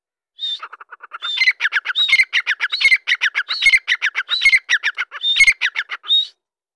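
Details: Excited Dakkni grey francolin calling. Soft clucks speed into a loud, continuous chain of harsh squawks, with a high whistled note repeated about every 0.7 seconds. The series lasts about six seconds, then stops.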